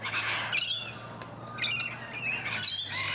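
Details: Rainbow lorikeets in a garden in Donvale, Australia, give harsh, shrill screeches in rapid overlapping bursts over a faint low hum.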